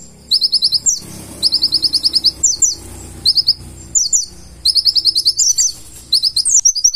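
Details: Purple-throated sunbird (konin) with a full-isian song: high rapid trills and sliding chip phrases, delivered in bursts with gaps, over a steady low background hiss.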